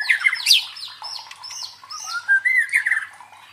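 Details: Training song of the murai batu (white-rumped shama) for fighter birds: strident high notes open, then falling whistled phrases and a few clear, pure whistles in quick succession.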